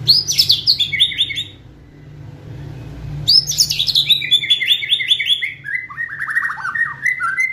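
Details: White-rumped shama in kretekan style, used to provoke and speed up singing: two bursts of rapid, loud chattering notes that cascade downward in pitch, separated by a brief pause, with a faint low hum beneath.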